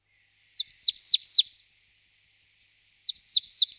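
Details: Marsh tit repeating a short phrase of four clear downslurred whistled notes, falling quickly in pitch, with the series sung twice about two seconds apart.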